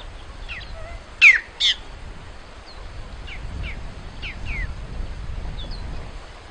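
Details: Great-tailed grackle, called Maria Mulata in Portuguese, singing: two loud harsh descending notes, with softer whistled slurs and chips from other birds scattered around them.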